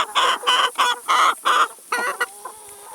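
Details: Chickens at a meal of salad and vegetables; a loud, harsh, broad-toned cluck repeated five times in quick succession, then two weaker calls and quiet soft notes.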